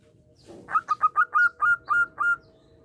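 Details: Local zebra dove (perkutut lokal), a constant singer used as a lure to prompt other doves to answer, giving a clear cooing phrase: one soft lead-in note, then eight rhythmic, hollow, ringing coos evenly spaced, with faint hum behind.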